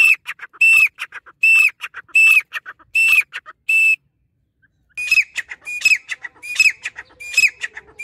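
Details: Grey francolin, called dakhni teetar, giving loud, ringing whistled calls with a sharp rising-then-falling note, each mixed with short clipped notes. Four calls are followed by a pause of about a second, then five more in quick succession.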